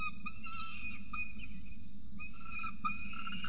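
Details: At a camera-watched nest in Orange, Australia, on a November 2020 morning, an adult peregrine falcon feeds its chick. Thin, harmonic chip notes repeat irregularly through the clip over constant mechanical hum.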